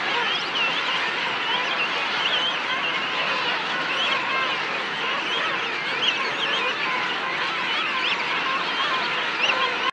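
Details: A dense chorus of king penguins standing in a colony: many overlapping, wavering trumpet-like calls rising and falling without pause, forming a steady colony din.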